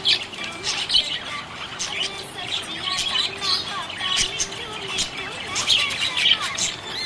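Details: Cheerful budgerigar chirping: continuous high-pitched twittering made of quick squeaks, clicks and brief warbled phrases, rising in loudness toward the end, over faint low sustained tones.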